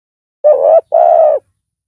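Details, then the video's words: A single two-part coo from a loud-voiced spotted dove decoy used for luring wild doves: a short, slightly wavering note, a brief gap, then a longer, even, hollow coo. "Pikat tekukur tapau Bl suara besar"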